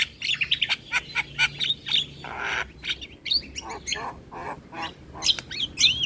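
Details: Asian pied starling song played mornings to teach young birds: mixed harsh chatter, a nasal buzzy burst, lower croaking notes and rising and falling whistles at the end, constant low hum.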